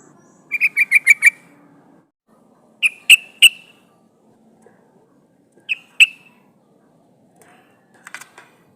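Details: Yellow-vented bulbul female calling to a male as a trapping lure: one quick burst of six chattering notes, then scattered single and paired sharp notes with long gaps.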